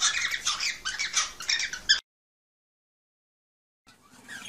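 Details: Cockatiels, sound offered to encourage the birds to mate: two seconds of dense, harsh, overlapping squawks and screeches, then silence, then faint squawking resumes near the end.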